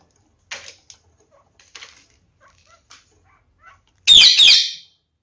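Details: A captive female budgerigar, aggressive towards a newly paired male, gives soft scattered clicks and chatter for several seconds, then a loud, harsh, rasping squawk lasting under a second.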